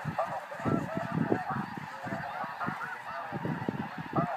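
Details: Flying snow geese call together in a busy chorus of barking, nasal honks, some louder and nearer, set against a low rumbling background.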